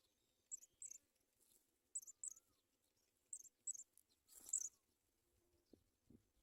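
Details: Sprague's pipit at its nest while bringing food to young: thin, very high chirps in close pairs, about four pairs spaced roughly a second apart, with a short burst of scratchy rustling near the end.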